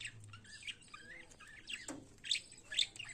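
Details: Budgerigar in the morning, chirping in short high warbled bursts with rising squeaky notes and a few sharper squawks, some near-silent gaps between phrases.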